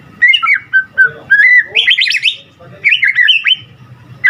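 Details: Lively white-rumped shama singing gacor, used as a lure to provoke other shamas: quick varied whistles and warbles in short bursts, some rising sharply, separated by brief pauses.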